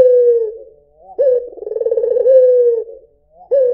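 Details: Single mellow coo from a white Barbary dove, opening with a sharp rising note, rolling through a vibrating trill and ending on a long, level-then-falling hum, with the next phrase just starting.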